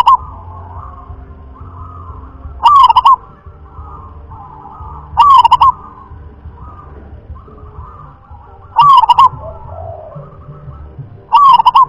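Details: Local zebra dove of the irama (rhythm) class repeats a short, loud, vibrating coo phrase four times, about every three seconds, with soft cooing and low rumble between phrases.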